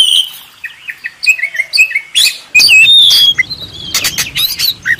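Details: Oriental magpie-robin master song, used to train contest birds: a quick string of short warbling whistles and chips, growing busier and louder toward the end over a faint low background rumble.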